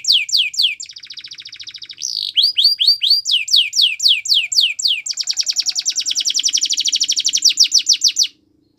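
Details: Canary singing a training song: fast series of descending high whistled notes, a softer buzzy trill, then a long, loud rolling trill of rapidly repeated notes ending abruptly.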